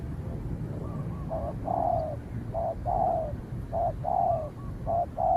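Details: Spotted dove confronting a cautious wild dove in the countryside; clear, mellow coos, a short note followed by a longer falling one, repeated three times over faint low rumbling.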